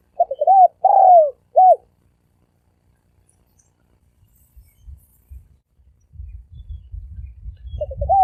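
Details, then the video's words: Spotted dove coo in the thổ sấm đồng style, used to excite males, females and wild birds: short notes and a falling croo early on, then a long quiet gap with low rumbling before another brief coo. "Tiếng chim cu gáy thổ sấm đồng gù gáy kích trống kích mái kích bổi"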